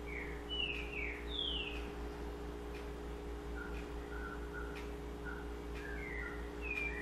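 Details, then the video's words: Double-collared seedeater in sabiá-style song: loud descending whistles open, followed by softer short low chips and more slurred whistles, low hum throughout. "Sabiá Coleira"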